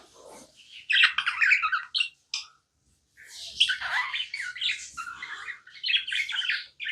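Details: Tamed budgie chirping in scratchy, squawk-edged bursts, a busy jumble of high warbled notes broken by a short silence, then resuming more densely.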